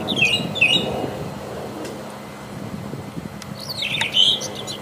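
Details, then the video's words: Wild Brown Thrasher giving two similar high phrases in quick succession, then a long quiet gap before one more bright, rough phrase near the end, over a constant low background hum. "Seribu kicau..!!"Brown thrasher"Burung termahal.Gacor di Alam liar."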